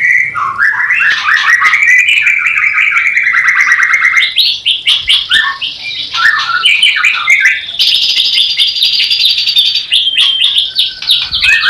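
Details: Mating song of a white-rumped shama, used to raise breeding desire in a new pair that has not yet bred: a continuous rich stream of warbled, trilled and whistled notes climbing in pitch, ending in high thin whistles.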